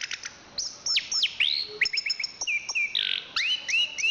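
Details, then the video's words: Anis kembang, the chestnut-capped thrush, a national champion, giving loud sweeping whistles, upward slurs and sharp chips, broken by a brief raspy note, with phrases coming quickly one after another. "Suara Kicauan Burung Anis Kembang Juara Nasional"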